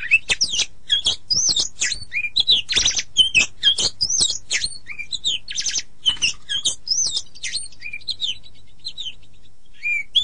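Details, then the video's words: Oriental magpie-robin master song for teaching other birds, played morning or evening: continuous rich medley of quick whistled slurs, buzzes and chatter, thinning out toward the end. "Masteran Terbaik Kacer"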